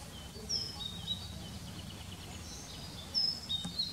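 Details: Common kingfisher (Alcedo atthis), male and female parents carrying fish for their unseen brood on a fine evening, 20 May, gives two brief, thin, high-pitched whistled calls about three seconds apart, over a steady low rumble.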